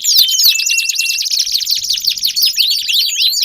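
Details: Domestic canary song played as a lure to get a silent canary singing: a long, unbroken run of rapid, high, shrill trills and quick downward-sweeping notes, loud and continuous throughout.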